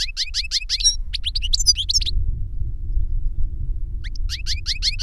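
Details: European goldfinch singing reclamo, either the master bird or the novice that copied its song from a CD. Repeated rising chirps in quick series, then tangled twitters, a pause, and another run of chirps.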